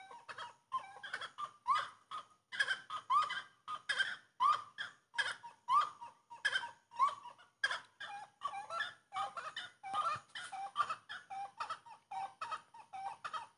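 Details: Song of the grey-cowled wood rail, locally saracura três-potes: a long, raucous chorus of repeated nasal, upslurred and gobbling notes delivered in steady pulses about every second, loud and unbroken.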